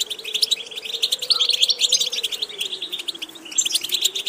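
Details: A European goldfinch sings unbroken, bright chattering twitters with quick high trills, used for training a goldfinch toward diverse song repetitions; a gentle low hum runs beneath.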